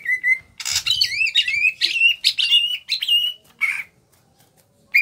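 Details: Small-bodied greater green leafbird from Kalimantan in full, energetic song: a steady whistled note followed by fast chattering, warbled phrases with slurred up-and-down notes, ending after about four seconds and resuming briefly.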